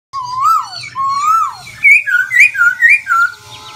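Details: Black-throated laughingthrush singing with continuously changing voice: long rising-falling whistled slurs, then a quick run of bright, higher warbled notes in varied pitch, with a faint low hum beneath.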